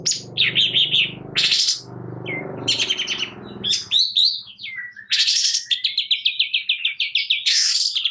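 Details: Long-tailed shrike song used to rouse lazy birds: loud rasping bursts and buzzy chatter over a low rumbling background, then a brisk rising series of rapid repeated chirps.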